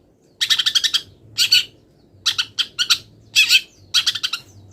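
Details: Long-tailed shrike, still molting, singing in bursts of rapid high chattering notes filled with imitated wild-bird calls, groups of four to six notes separated by short pauses.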